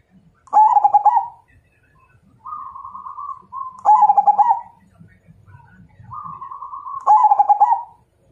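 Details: Zebra dove, Majapahit type, calling as a challenge to fight: three pulsed, rolling coo phrases, with a smoother, steadier coo from another dove answering in the gaps.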